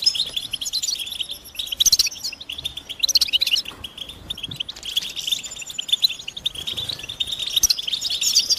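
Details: Collective European goldfinch chirping, described as mating and readiness calls that push a male to sing. Sharp, high twittered notes come in clustered bursts over a steady bed of chatter.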